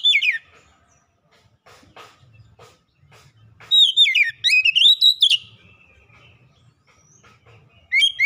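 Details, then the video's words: Kacer, or Oriental magpie-robin, singing a lure song meant to spark singing in quiet birds: a brief whistled note, several seconds of faint background, then a loud rising-and-falling whistled flourish and a closing phrase. "kicauan Kacer pemikat | Kacer malas bunyi terpikat langsung gacor"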